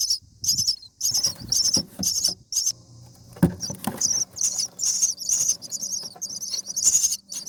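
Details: Common myna nestlings in the nest on day 7, being fed by a parent: harsh, hissing, high begging bursts repeated about every half second, with soft thumps and rustling of movement in the nest.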